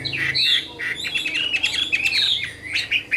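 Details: Caged Chinese hwamei, an adult caught from the wild, giving a lively, rambling song. Rough, squawky notes mix with quick whistled slurs in an unbroken stream over a low background hum.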